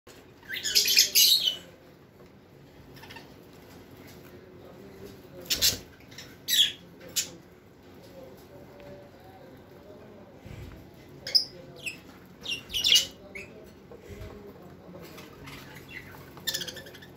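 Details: A pet budgerigar (Melopsittacus undulatus) reacting to its owner's hand being put into its cage gives harsh, scratchy squawks in short bursts separated by quiet pauses.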